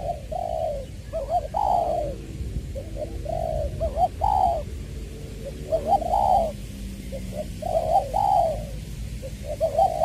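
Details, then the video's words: Decoy spotted dove in Trà Vinh, Vietnam, February 2021, voicing the 'giọng tiểu' style. Soft hollow coos come in clustered phrases about every two seconds, short notes leading into fuller drawn-out ones, above a low rumbling hum. "Ra mắt AE nước chơi mồi lỡ "Chuẩn Giọng Tiểu""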